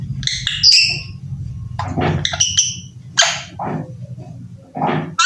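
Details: Young talking Alexandrine parakeet taught to say "I love you", giving short harmonic chirps and squawky syllables in scattered bursts over steady low rumbling background noise.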